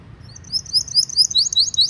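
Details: Brief burst of canary song for training young birds to sing: quick, high, twittering chirps growing louder and denser over two seconds.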